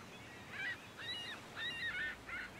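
Ruddy turnstone giving four short, nasal, slightly rasping calls about half a second apart, mid-high in pitch, over a soft steady hiss like distant surf.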